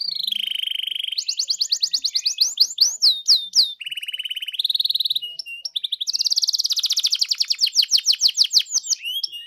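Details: Canary song used to provoke a canary into singing, built from changing tours: a low buzzy trill, a rapid high rattle, swooping whistles, another buzzy roll and a long fast trill.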